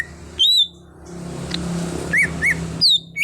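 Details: Greater green leafbird (cucak hijau), an untrained bird being brought into song: a few separate clear whistles, one wavering, two short rising-falling notes, then a high sweeping whistle, over a low engine-like hum.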